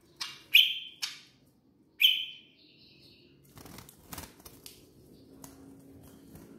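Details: Actively singing tame bar-winged prinia from Koya, Kotaraja, Jayapura: three loud, sharp chips with ringing high tails in the first two seconds, followed by rustling and shuffling noises without further song.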